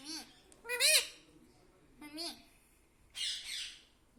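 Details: Parrot kept as a pet and taught to say mummy and papa; three short voiced rising syllables spaced apart, then a harsher, noisier squawk-like utterance at the end.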